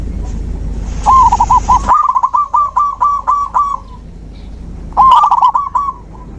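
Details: A zebra dove sings to prompt a silent dove to sing again: a long string of evenly spaced, hollow staccato coos, then after a pause a second, quicker bubbling phrase.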